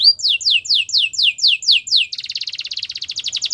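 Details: Canary singing to woo other canaries, a training song: seven clear descending whistled slurs, evenly spaced, followed by a fast pulsing buzzy trill.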